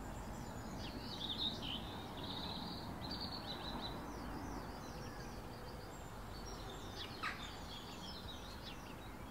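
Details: Shiny cowbird flock chattering: dense, overlapping high chirps and thin whistles, with a sharper downward-sweeping note near the end, over constant low background noise.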